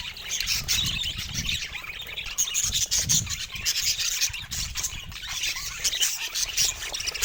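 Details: Budgerigar vocalizing: dense, unbroken high-pitched warbling with rapid scratchy chirps, clicks and squeaks overlapping throughout, busy and restless with no clear pauses, plus faint low rumbling underneath.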